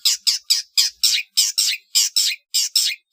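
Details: Long-tailed shrike trotol song, recorded for training competition birds: harsh, grating rasped notes repeated about twice per second, each a broad scratchy burst. Clean background.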